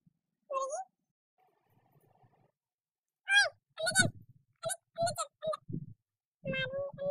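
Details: Captive Indian ringneck parakeet, one of a talking pair kept indoors, giving short nasal word-like utterances and squeaky syllables, interspersed with low human speech nearby.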